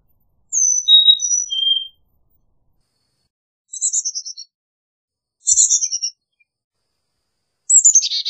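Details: Carolina chickadee giving one phrase of descending whistled notes, then three harsh, buzzy, falling call notes spaced a couple of seconds apart.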